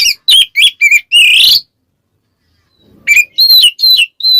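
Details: Magpie-robin song, ngeplong type, directed at a rival: five quick sharp whistled notes ending in a longer rising buzzy phrase, a silent gap, then another run of clear whistles.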